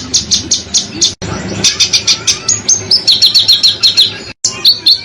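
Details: Tutor song for contest birds, full of sharp shots: rapid high shrieking notes, then a run of clear whistled notes. Two short dropouts break the sound, and a low hum runs underneath.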